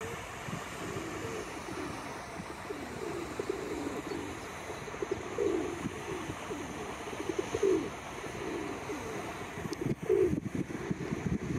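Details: Red-crested pochard gives short, low, hoarse notes about every two to three seconds against a steady rush of wind or water, recorded 21 April 2023.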